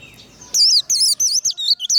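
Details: Trained Warbling white-eye singing the 'líu' fighting style: half a dozen loud, rapid, zigzagging high whistles packed into just over a second.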